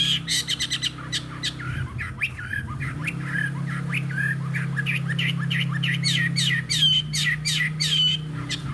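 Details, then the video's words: Chinese hwamei of fighting type, wild-caught and caged for three seasons, tail spread while singing on a table, a little hoarse; fast scratchy chattering notes and short whistles pour out over a constant low droning hum. "Họa mi chiến 3 mùa lồng hót để bàn"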